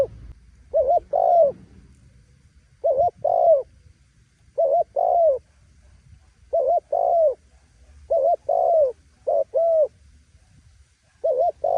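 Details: Spotted dove, its voice said to excite wild doves into loud cooing, repeating short two-note coo phrases, a wavering note followed by a fuller falling one, roughly every one and a half seconds over a quiet background.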